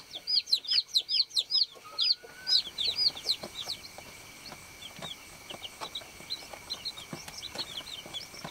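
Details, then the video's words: Farm-raised baby chickens peeping: a loud run of high, arched chirps about four per second, fading into softer scattered peeps from several chicks over a faint constant hum. "BABY CHICK CHIRPING SOUND"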